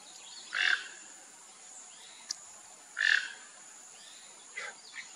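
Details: Rufous-tailed jacamar calling with two clear, sharp single notes about 2.5 seconds apart, followed by softer, more distant-sounding notes near the end over a quiet hissing background.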